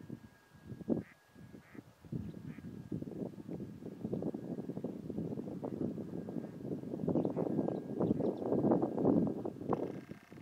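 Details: At the Soča river mouth nature reserve on 17 March 2023, red-breasted mergansers give low, rough croaking notes in a dense, fast run of several calls a second, over a steady background rumble.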